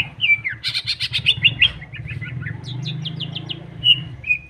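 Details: Greater green leafbird song meant to provoke rivals, heard against a loud low rumbling background: quick slurred whistles and a brief harsh burst, then a short series of high chips and two clear whistles.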